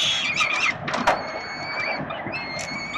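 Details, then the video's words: Hungry peregrine falcon chicks at a city nest on 367 Collins, Melbourne, Australia, being fed by their father in October 2021; a short burst of squealing harsh cries with clicks, then a thin, steady, high wail. "Sokoły wędrowne - Tata karmi swoje głodomorki"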